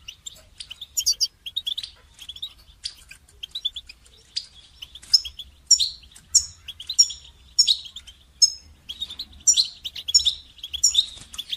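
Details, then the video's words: Goldfinch singing for song training, a long run of quick, high chirps and twitters grouped into evenly spaced phrases roughly every half second, bright and liquid in tone. "Motivating goldfinch song training inspiring melodies and techniques"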